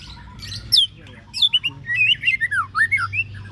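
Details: White-rumped shama readied for a practice contest in Babagan village, Lasem, gives rich whistled notes that sweep up and down, mixed with squawky calls over a steady low hum.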